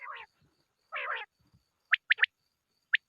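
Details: Quail sound used to draw birds for hunting: two short rough, buzzy bursts, then a crisp triple of sharp, clipped high notes and a final pair after a pause, in otherwise quiet surroundings.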